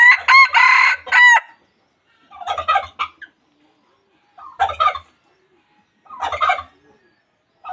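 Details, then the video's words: Loud wild junglefowl crow opening in rapid harmonic-rich bursts, followed by three shorter harsh crowing phrases spaced about two seconds apart, with silence between. "suab qaib qus qua zoo tiag2 li.Dib qaib tuaj zoo heev"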